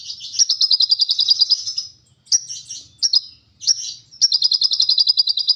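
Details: Lovebird in the long 'ngekek panjang' chattering style: high, rapid buzzy rattles of about three or four notes per second, delivered in long bursts broken by short grating phrases and brief pauses.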